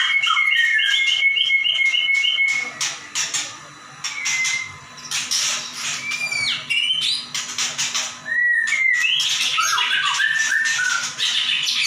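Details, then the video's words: White-rumped shama, a caged bird in full song, used as a training recording for other shamas: rapid varied whistled phrases, a run of repeated short notes at the start, then buzzy bursts and sliding whistles, with a steady faint hum behind. "Murai batu gacor nembak"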